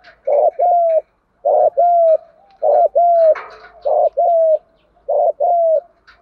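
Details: Spotted dove cooing in the thúc gù manner used to stir decoy birds: five regular double coos, a short burst and a sustained, softly descending hoot, roughly one pair per second.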